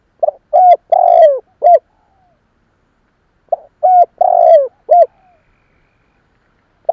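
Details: Lure coo of a spotted dove for drawing in other doves: a low phrase of five hooting notes, the middle one long and falling, repeated after a pause of about two seconds, in a quiet background.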